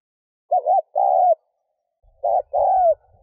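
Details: Spotted dove cooing to stimulate a decoy bird: two phrases, each a warbled double note then a longer coo that falls away, with faint low rumbling behind the second.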